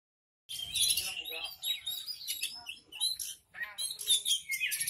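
Horsfield's bush lark in a fast, unbroken stream of high, varied song: sharp chirps, thin whistles and buzzy trills, with a faint low murmur underneath.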